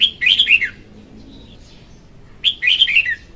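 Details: Singing female red-whiskered bulbul, a lure recording for trapping: two lively warbled phrases of rapid slurred notes dropping at the end, with a quiet gap between them and soft background noise.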